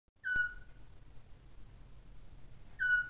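Eurasian scops owl giving two short, clear whistled 'tyuu' notes that fall slightly in pitch, spaced about two and a half seconds apart, over a soft night hiss.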